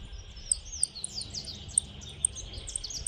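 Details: Saffron finch singing in the countryside: a busy run of high, thin chirps and quick down-slurred notes, with sharp ticks about every half second over a low rumble.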